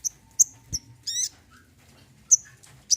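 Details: High, thin chip notes from an olive-backed sunbird, meant to encourage silent birds to sing. They come in uneven pairs, broken by one short buzzy, ladder-like trill and a soft lower note.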